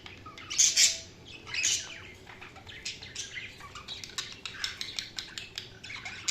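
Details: Budgerigar chirping: two loud, harsh high chirps near the start, then a steady stream of softer, rapid, scratchy high twitters and clicks to the end.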